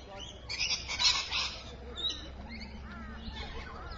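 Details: Rainbow lorikeet at Evans Head, recorded at 3:45 PM on 26 May 2012: a burst of harsh, grating screeches about a second long, followed by quieter scratchy chatter and soft background noise.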